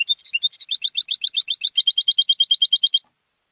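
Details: European goldfinch, a home-raised contest singer, delivering a three-second phrase of rapid, evenly repeated high ringing notes, at first slurred and varied, then steady, ending abruptly into silence.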